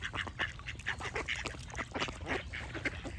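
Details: Short bursts of nasal duck quacks following one another quickly from several birds, over faint low-frequency hum.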